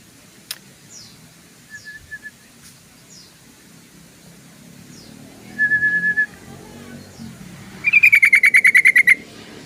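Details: Yellow-vented bulbul: faint scattered chips and two flat, steady whistled notes, then near the end a loud, rapid chattering burst of about a dozen pulses, slightly falling in pitch and lasting about a second.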